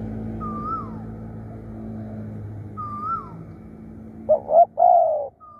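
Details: Spotted dove used as a decoy bird, calling fiercely and often: wavy whistled notes repeat about every two seconds over a low rumble, then a short three-part coo at the end, two clipped notes and a longer purring one.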